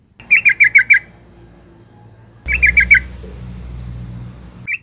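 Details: Yellow-vented bulbul female calling to excite males: two bursts of five rapid chattering notes, the second set over a louder low rumble of background noise.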